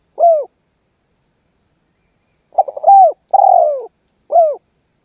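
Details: Lively spotted dove song said to get other birds calling: brief arched coo, pause, then a stuttered burst, a rising-falling coo, a long sliding coo and a final short coo.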